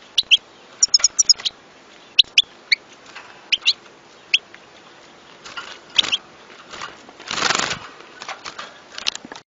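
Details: European goldfinch song: clusters of short, sharp, high twittering notes in quick bursts separated by brief pauses, with a short burst of broadband rustling noise near the end.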